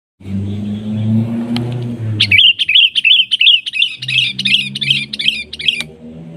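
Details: Sooty-headed bulbul giving a lure call to draw a rival into answering. A quick, uneven run of bright chirped notes, about three per second, follows a low engine-like rumble. A faint hum continues underneath.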